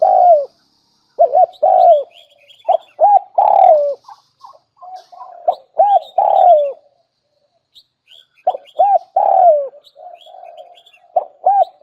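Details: Spotted dove lure call used to attract wild doves: loud, mellow cooing phrases of two to three hooting notes, the last drawn out and falling, repeated in groups with short pauses, over faint high chirps of other birds.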